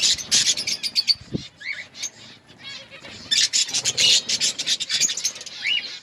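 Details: Budgerigars in an outdoor colony give bursts of quick chirps and short rising whistles among raspy chatter, with a brief low knock early on.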